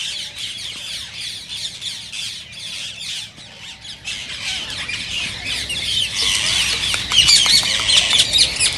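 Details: Rose-ringed parakeets screech and chatter in a dense, harsh stream of high squawks that grows louder toward the end, several birds calling over one another; these calls are said to stimulate other parakeets to sing and mate.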